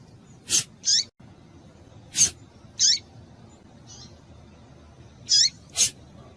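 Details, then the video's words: Calling female double-collared seedeater, used to stir up males, gives paired short high notes, each sharp tick followed by a falling chirp, repeated three times with a faint softer note between. "Melhor fêmea de coleiro quente para esquentar coleiro"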